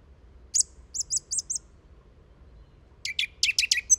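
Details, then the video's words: Song thrush delivering a short high note repeated four times in quick succession, then after a pause a new phrase of sharp, rapid chips repeated several times, in the species' typical repetitive style. "Song Thrush Song"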